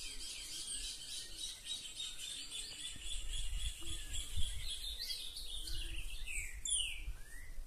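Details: Newly arrived captive green-winged saltator, kept apart from a resident territorial bird, singing non-stop: bright, clear whistled phrases with quick rising and falling slurs over a steady low rumble and faint chirps.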